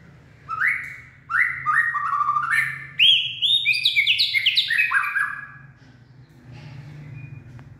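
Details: White-rumped shama singing in the late afternoon, described as a purebred bird that sings and dances, likely a cage-bird; rich whistled phrases stepping upward, then a rapid run of descending slurred notes, with a low hum beneath.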